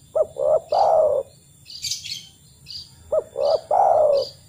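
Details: Spotted dove calling, a lure recording meant to get other doves singing. Two phrases of low hollow coos, each two quick short notes followed by a longer falling coo, with faint high chirping between them.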